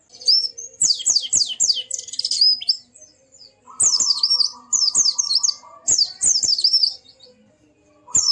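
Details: White-eye song played to get a silent bird singing and opening its beak: dense cascades of high, steeply falling chirps in phrases of one to two seconds, with a steady low hum beneath the middle phrase.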